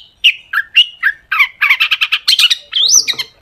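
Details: Long-tailed shrike singing as a lure for other shrikes: descending slurred whistles at first, then a fast burst of harsh, chattering notes ending in a rising, wavering whistle.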